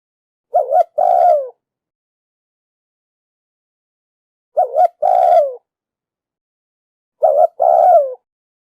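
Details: Female spotted dove repeating her call to stimulate the male: three low coo phrases spaced a few seconds apart, each a brief wavering note then a longer downward-sliding coo, in a quiet setting.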